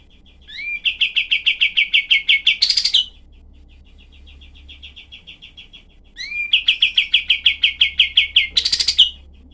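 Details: Olive-winged bulbul in rough-voiced 'tembakan' variation: an upward slurred lead-in, then dense fast-repeated harsh notes ending in a buzzy burst, phrase given twice with a soft murmuring gap.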